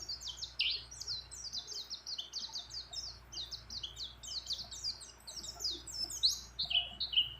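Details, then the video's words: Female white-eye calling a male while in breeding condition, mixed with many other birds' phrases: rapid, high-pitched run of short chirps and downslurred notes, tumbling continuously and unevenly. "Pleci Gacor Ngecir Ngeroll Nembak Dengan Isian Banyak Burung Lain"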